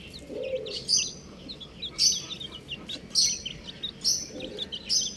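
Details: Chirping buff domestic chicks: rapid, high-pitched peeps come in bursts about once a second, with quick down-slurred notes overlapping. Occasional softer lower cheeps sound underneath.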